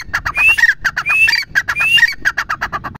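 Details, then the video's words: Grey francolin calls crowded together: dense rapid clicking pulses with three rising whistled notes woven through, giving a busy, chattering, harsh texture with no clear pauses. "Teetar ki awaaz | teetar ki boli"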